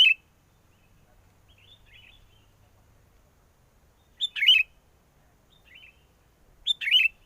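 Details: A sooty-headed bulbul sings to lure birds into a trap despite strong wind. Three quick, gurgling, chirpy phrases come at uneven gaps, with soft quieter notes in between.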